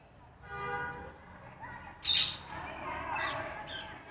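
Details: Parrots calling: a buzzy harmonic note first, then sharp, harsh squawks in short bursts, the loudest near the middle. Softer chatter continues between them, over a faint low hum.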